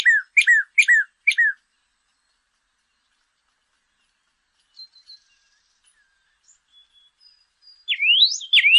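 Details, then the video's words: Northern cardinal audio for training caged songbirds: three crisp, down-slurred whistles, a long silence, then loud, rising, sweeping whistles at the end. "CARDENAL ROJO: ENSEÑA A TU AVE A CANTAR CON ESTE AUDIO"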